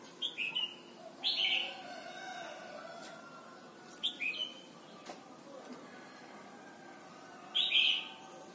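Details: Red-whiskered bulbul singing in Thailand, a recording meant for training young birds: four brief cheerful phrases of sharp whistled notes dropping into short warbles, separated by pauses of one to three seconds, with faint clicks between.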